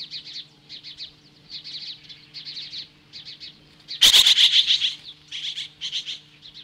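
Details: Osprey standing off magpies at a nest near Lolo, Montana, July 15, 2015: spaced clusters of thin, high chirps, interrupted midway by a loud harsh burst and a tight flurry of intense calls before the clusters resume.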